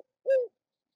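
A Eurasian Collared Dove gives a single low, soft, hollow coo, owl-like in tone and about a quarter-second long, with silence around it.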